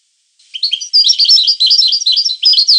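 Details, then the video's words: European goldfinch singing a continuous jumble of quick, tinkling and slurred chirps with interwoven whistles, lively and varied throughout. "The Goldfinch , chant de Chardonneret"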